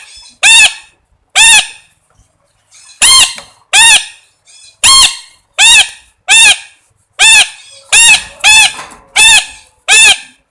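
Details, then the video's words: Parrot squawking repeatedly, about thirteen harsh, buzzy calls in ten seconds, often in close pairs, with quiet gaps in between. "suab noog yeeb kub quaj zoo heev tiếng vẹt keu"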